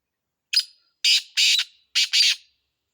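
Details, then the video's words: Loud, scratchy five-note phrase from a black francolin: a short opening chirp, a pair of drawn-out harsh notes, a brief silence, and a closing pair of rasping notes, with nothing else audible. "Kala Teetar ka khubsurat Awaz"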